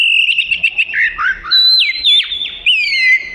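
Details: Oriental magpie-robin song, melodious and meant for tutoring other birds: a warbled chattering opening, followed by long, high steady whistles broken by sharp downward slurs, loud and clear.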